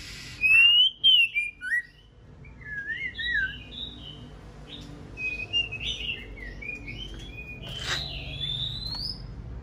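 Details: A moulted female white-rumped shama readies for breeding season, singing to arouse a male. A few loud chirps open the clip, followed by a long sequence of varied short whistled phrases at moderate volume.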